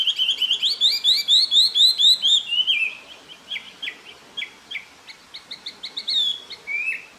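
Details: Taiwan hwamei recorded in April 2024 at Jianshi Township, Hsinchu, Taiwan. It opens with a rapid series of bright, repeated whistled notes, then gives softer, spaced slurred phrases at roughly two per second, and ends with a final downslurred whistle.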